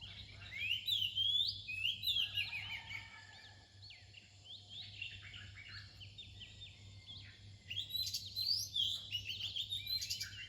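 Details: Near dawn, an Oriental magpie-robin delivers rising whistled phrases and dense chattering notes, pauses for a few seconds of softer calls, then resumes with loud bright twittering, over a low hum.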